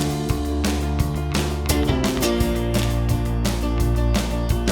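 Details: Strummed guitar music with a steady rhythmic pulse fills the recording, with no birdsong.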